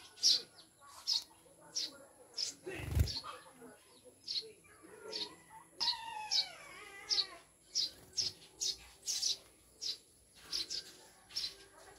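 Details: Maya birds, Eurasian tree sparrows newly kept as pets and described as mountain birds, give short high chirps repeated about once a second, with a few brief harsher notes and a thump near the third second.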